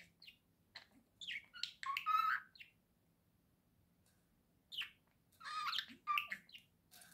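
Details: Pet budgerigar indoors giving bursts of chattering chirps and warbles, harmonic whistled notes near the middle, then a quiet gap before another cluster of scratchy chirps and a clear whistle.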